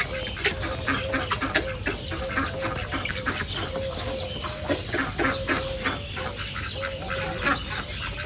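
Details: Ducks calling together at a nature reserve: a dense stream of harsh, rapid quacking notes, about four per second, overlapping with drawn-out level honking tones and general natural background sound.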